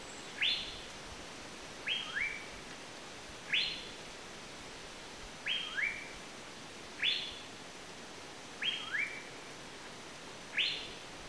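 Asian paradise flycatcher giving harsh, rasping, downslurred notes, single or paired, about every one and a half seconds over a steady low background hiss.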